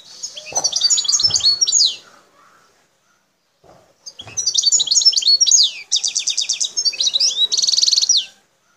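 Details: Wild Algerian goldfinch singing in the El Tarf sector near Bouteldja, Algeria: two bursts of rapid, high twittering with trilled notes and buzzy, nasal, rattling runs, separated by a short pause.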